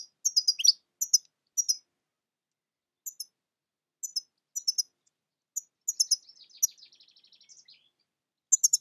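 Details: European goldfinch (Carduelis carduelis) giving bright, high, clipped double and triple chirps in loose bursts, then a lower buzzy, rattling trill lasting about a second, followed by more sharp tweets.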